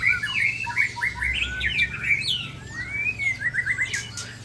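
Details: Shama of the Sabang strain in Aceh, Indonesia, set upon by rival shamas from Ujong Pancu and Tangse; quick bright chirped phrases, rising and falling slurs and a long upslurred whistle, rivals answering, faint low hum.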